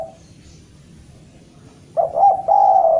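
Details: Javanese spotted dove calling to challenge a rival: after a quiet stretch, one soft low coo phrase, a brief broken note then a sustained, slightly falling coo, in a quiet setting.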